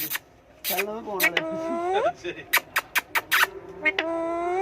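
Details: Talking parrot vocalizing in short harmonic bursts, with nasal, speech-like syllables and several rising, drawn-out tones, then a quick series of clipped notes and a final long steady tone. Soft background music is heard.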